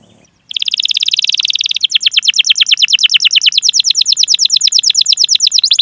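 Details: Canary song used to lure other canaries into singing, opening with a dense buzzy trill, then switching to a long even run of rapid downward-slurred notes.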